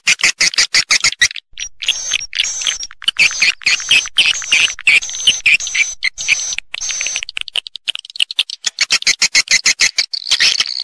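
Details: Natural swiftlet call used to attract the birds to a roost: rapid dry clicks repeated in fast bursts, mixed with high chittering notes in the middle section.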